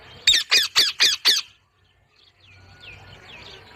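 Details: Parrot giving five harsh, loud squawks in quick succession, about four per second, then falling quiet before faint, thin chirps come in from the background.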